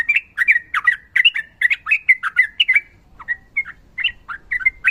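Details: Lively sooty-headed bulbul song in rapid 'ropel' style: steady stream of loud, slurred, squawky whistled notes for three seconds, then spaced single chirps and short phrases.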